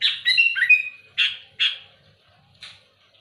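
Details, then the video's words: Loud, active sooty-headed bulbul pressing rivals with harsh 'besetan' notes: a jumbled warbled phrase ending in a drawn-out whistle, followed by three rasping, buzzy bursts, the last one quieter. "Suara burung kutilang gacor keras aktif menekan lawan muntahin isian besetan kasar keras pedas"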